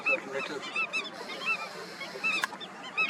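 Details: Indian skimmers at a breeding colony, with drawn-out nasal calls and short barks from a few birds spread through the clip, one sharp click in the middle.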